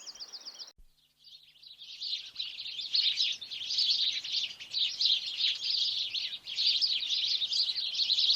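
Sparrows chirp nonstop in a busy flock, with bright overlapping chirps tumbling several times a second, after a brief tonal jingle at the start.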